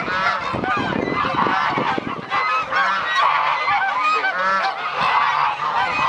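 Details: Many geese calling at dawn on a sunny winter day at a refuge in Dalen, Netherlands: a chorus of loud, yelping honks rising and falling, with several individual calls standing out against the crowd.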